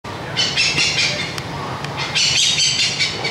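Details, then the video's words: Oriental pied hornbill calling to its flock: two bursts of harsh, cackling, high-pitched chatter, each about a second long, over a low background rumble. "Cao cát bụng trắng Phần 1 - Gọi đàn"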